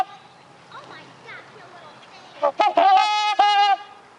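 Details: Trumpeter swans honking at a bird sanctuary; soft voices and faint sounds first, then a burst of brassy, nasal honks near the end.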